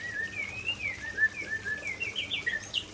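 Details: White-rumped shama of the Aceh type delivering its signature fill-in repertoire: a run of short, fairly quiet whistled notes and slurs, rising and falling through a mid-high range, with faint background hiss.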